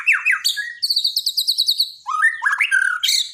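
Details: Borneo white-rumped shama, daily training song for a bird that stopped singing: falling swoops, then a fast high chattering trill, a short break, and rising rolling phrases.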